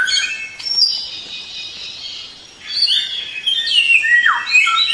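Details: Song of a white-rumped shama as a training track: a stretch of high thin overlapping whistles, a short lull, then varied rising and falling slurs ending in a falling sweep.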